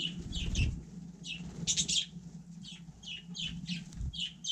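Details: In freezing conditions on snow, a budgerigar repeats clipped chirps in small clusters with short pauses, with a low hum and muffled bumps.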